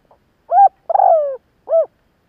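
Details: Spotted dove calling to stir wild birds: faint pip, clear coo, a long wavering falling coo, then a short arched final coo, with nothing else audible.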